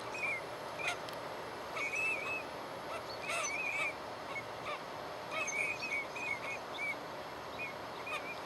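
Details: Teal during courtship display: short, clear, high whistled notes, some single and some in quick bunches of two or three, repeated throughout the eight seconds over a steady background hiss.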